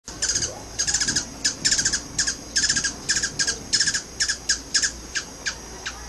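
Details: Three hummingbirds fighting over a feeder on a back porch just outside San Isidro, Costa Rica: rapid bursts of thin, squeaky, high chips in stuttering clusters, over a steady faint background hum.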